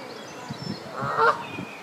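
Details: A Canada goose gives a single short, nasal honk, a quick harmonic note over soft rustling and hiss. The female is laying eggs on her nest while the male keeps watch, on the South Pond at Midhurst, West Sussex, England.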